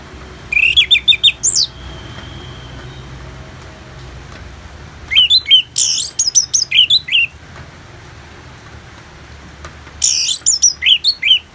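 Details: Orange-headed thrush singing for a song therapy recording with rain sounds: three bursts of rapid, varied whistled and twittering phrases, each about two seconds long, separated by longer quiet gaps with steady soft hiss.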